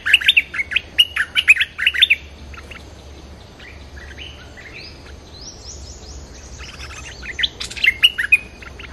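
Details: Wild-bird luring with a bulbul: chattering bursts of warbled notes open the recording, then softer sliding whistles, and a renewed rapid run of bright chirps near the end.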